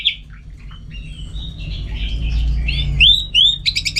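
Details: Orange-headed thrush kept for contests in northern Bali sings a soft warbled passage building into bright upward-sweeping whistles and ending with a quick rattled trill, over a low background hum.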